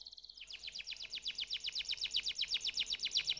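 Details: Canary giving a steady, rapid trill of high chips repeated about four times per second, starting after a short low buzzy note, with faint background hiss.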